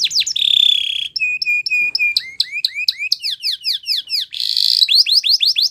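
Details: Belgian canary song used for training: a held buzzy note, then clipped repeated whistles, sweeping looped phrases, another steady buzz and a final run of rapid falling notes.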